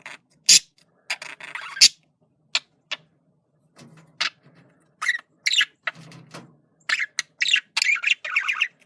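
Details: Male budgerigar's communication sound: scattered clicks and brief harsh chirps at first, then bursts of fast scratchy chatter in the second half, with quiet gaps between notes.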